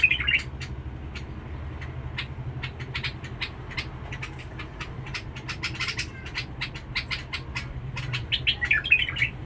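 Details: A bulbul from Basra, noted for its harsh voice, gives a scratchy warbled burst at the start and another at the end, with dense irregular clicking chirps filling the gap.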